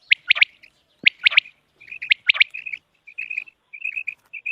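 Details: Common quail, recorded for use in quail hunting: sharp three-note calls, each burst of quick bright notes repeated about once a second, then a run of soft, short chirps at the end.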